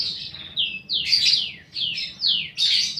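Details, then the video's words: Young paud-type fighter lovebird, recorded to stimulate other lovebirds: a run of shrill, downward-sliding screeches, about five in three seconds, loud and piercing. "pancingan burung lovebird paud balibu fighter mp3"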